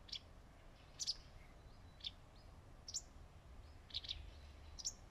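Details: A wagtail on a shaded branch repeats brief, bright, high-pitched chips about once a second, sometimes paired, with faint thin notes between them over low background noise.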